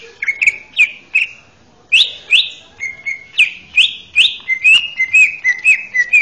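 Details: Male greater green leafbird kept as a training master for young birds repeats slurred, rising whistled phrases roughly twice a second, clear and melodious, with quiet background.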